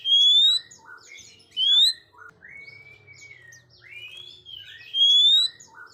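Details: An Oriental magpie-robin sings, used for training young birds that are still silent: three loud, clear rising whistles recur among softer slurred notes, twitters and long drawn whistles.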